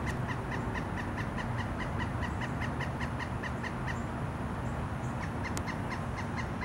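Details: Pileated woodpecker in Savannah, Georgia, giving a long, steady series of nasal, ringing 'kuk' notes, about four or five a second, over a low rumbling background.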